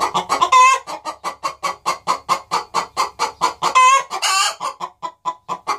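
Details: Pair of hens in a nest box cackling together, banjo accompaniment added. Steady quick run of clucks, with two long rasping squawks breaking the rhythm.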